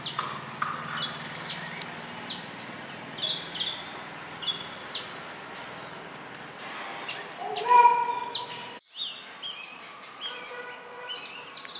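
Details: Indian robin, a small black and white bird near human residences that sings each morning and evening; a long series of high whistled notes with downward slurs, a lower whistle midway, and a brief silent break.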